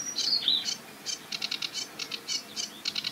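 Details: Sedge Warbler at a marsh edge with reedbed; a short whistled slide followed by spaced, scratchy chirping notes in quick clusters.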